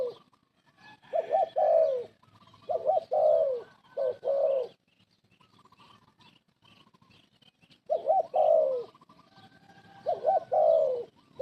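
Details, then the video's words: Spotted dove decoy bird used in trapping gives repeated cooing phrases: a quick stuttered pair of notes leading into a longer descending coo, several sequences with brief gaps and faint background chirps. "pikat lama, pikat burung terkukur terbaik"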